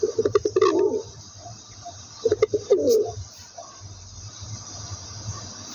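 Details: Two pigeon coo phrases, each starting with rapid clicking notes and ending in a low, throaty rolling coo, then fading to background hum.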